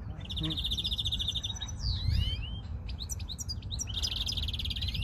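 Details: Song of a European greenfinch: a long fast trill, then swooping whistles and clipped chips, ending in another rapid trill, with steady low rumble beneath.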